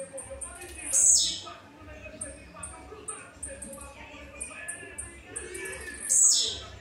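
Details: A blue-black grassquit, the only one singing while the rest are in moult, gives its short, explosive buzzy song twice over a run of faint, high ticking notes.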